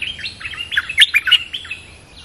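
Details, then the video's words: Loud, close Streak-eared bulbul in a territory contest delivers a tumbling burst of rapid, bubbly chirped notes that peaks mid-phrase and then fades. "เสียงนกดอกแตงEp.227/2 ปิดเกมส์จ้าวถิ่นโคตรดุ!! ลุ้นกันเหนื่อย Suara pikat merbah lekir gacor"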